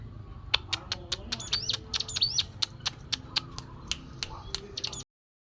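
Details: Ciblek gunung, a mountain prinia, recorded in the wild and used to coax other birds to call. A steady series of sharp ticking clicks comes roughly three to four per second, mixed with thin high squeaky notes. Soft background noise runs throughout, and the clip cuts off abruptly.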